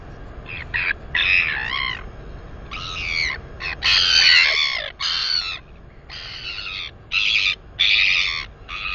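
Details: A female northern royal albatross chick, 218 days old, squealing with delight during wing exercises near her nest: a loud run of wavering, harmonic squeals and wheeing notes of varying length, separated by short gaps.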